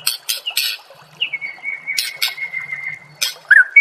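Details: White-rumped shama song from a songbird training master: harsh buzzy bursts alternating with a long steady whistled note held for about two seconds, then a short twisting whistle.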